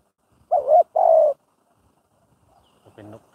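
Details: Spotted dove, a decoy bird in Thai-style training for trapping: two clear, mellow coos in quick succession, the second longer and steady, then near-silence and a faint, rougher low sound at the end.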